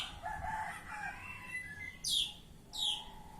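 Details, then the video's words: Oriental magpie-robin singing in ngeplong style: soft whistled phrases give way to two loud, sharply falling sweeps about three quarters of a second apart, over faint low background rumble. "Kacer Ngeplong"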